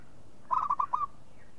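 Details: Local zebra dove giving one brief stuttering phrase of four soft, cooing notes in quick succession, the final note longer and slightly rising, set against near silence.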